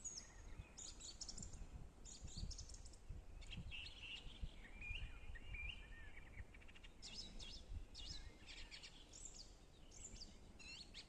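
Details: Forest bog birdsong with several birds overlapping: bursts of high chirps and twittering, plus a lower warbled phrase near the middle, against a constant low background rumble.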